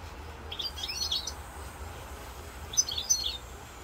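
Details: European goldfinch singing in Corsica on 7 November 2022: two short bursts of bright, high twittering notes, the second around three seconds in, over a steady low hum.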